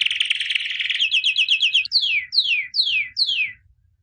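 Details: Singing white albino canary, 2017 champion: a fast rolling trill speeds through bright repeated notes, then four slow loud downslurred whistles close the phrase.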